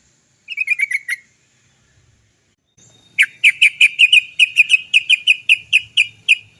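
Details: Sooty-headed bulbul 'cok cok cok' lure sound, meant to get birds singing fast: a brief cluster of quick chirps, then a long steady series of about fifteen sharp notes, evenly repeated.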